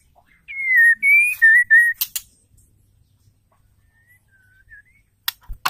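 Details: Female white-rumped shama giving a lure call for males: four clear whistled notes alternating low and high, followed by a few faint soft whistles and scattered clicks.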